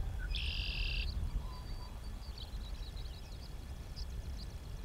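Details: Tree swallows squabble over nest boxes at a sanctuary pond during breeding season: a harsh, buzzy note lasting under a second, then faint, scattered high chirps, over steady low rumbling noise.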